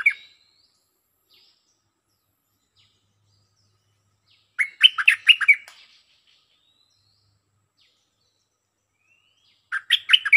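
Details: Stripe-throated bulbul in active lure song: bubbly, chuckling phrases of about six quick slurred notes, separated by roughly five seconds of near silence with faint soft calls.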